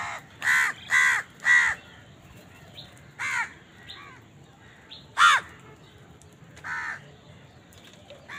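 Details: Crows calling while eating and competing for food: three loud harsh caws open the sequence, followed by scattered single caws and fainter softer calls spread over the following seconds.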